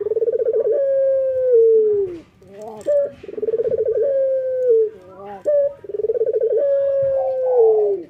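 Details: Morning song of a male Barbary dove, a local bird in full voice: three cycles, each a rapid throbbing coo flowing into a long, sustained, gently falling note, separated by short soft hoots.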